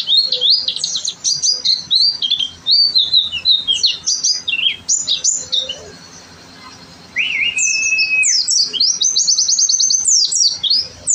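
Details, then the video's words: Oriental white-eye (pleci) in lively gacor singing, a master tutor recording: rapid high twittering of sharp down-slurred notes, a steady lower whistle near eight seconds and a brief pause midway. "pleci gacor"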